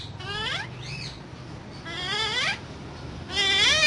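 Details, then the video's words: Parrot said to be talking, producing drawn-out rising harmonic calls with one short arched note between them, over faint background hum. "Raw Parrot Talking So Cute"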